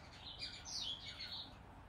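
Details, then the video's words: Hand-fed zebra finch x owl finch hybrid chick, day 19, gives thin, high, wheezy begging cheeps in a quick run, with a faint low background hum. "Hand Feeding Zebra X Owl Hybrid Finch Baby Day 19"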